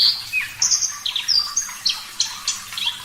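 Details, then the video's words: Javan bush lark singing vigorously in a clear voice, used as a master recording for training cage birds: rapid run of sharp high whistles and chirps, some rising and some falling, closely spaced with short gaps. "Masteran Branjangan Parva Gacor Suara Jernih, Terapi Air"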